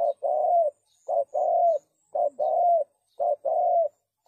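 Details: Clean recording of a spotted dove, a lure for trapping, repeating paired coos: a short hoot followed by a longer level coo, the pair given roughly once a second.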